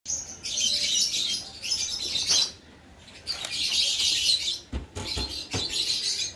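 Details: Lovebird breeding pair of lutino, orange, sun and carnur colour forms giving dense, shrill, high chirping in long bursts, with a brief quiet gap near the middle and a few sharp clicks toward the end.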